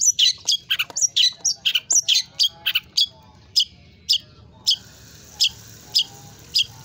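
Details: Long-tailed shrike in full, chatty song packed with varied phrases ('isian'), offered as a clear master recording: a rush of sharp, scratchy high notes, then single harsh chips repeated about every half second, with a faint low hum beneath.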